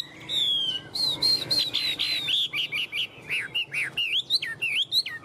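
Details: Caged tame Chinese hwamei, shown clinging to its cage while displaying wings and tail, pours out a fast run of bright whistled notes, first a sliding descending whistle, then a rapid string of sharp upslurred and downslurred notes in steady succession.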